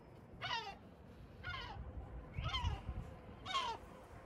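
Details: Sea gull at Batumi, Georgia: four hoarse downward-sliding calls spaced roughly a second apart over low rumbling background noise.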